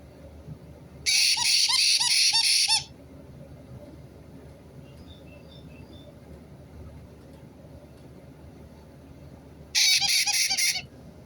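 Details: White-bellied caique parrot uttering two bursts of loud, harsh screeching, the first about two seconds long with several rapid pulses, the second shorter after a long quiet gap with faint background hiss.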